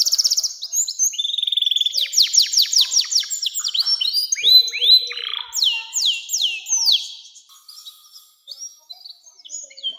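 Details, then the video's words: Canary song played to teach young canaries, with buzzy rattles, a long run of fast downsweeping whistled notes, rising swept phrases, then quieter twittering as the song trails off. "SUARA KENARI NEMBAK PANJANG‼️cocok buat pancingan kenari muda dan masteran burung"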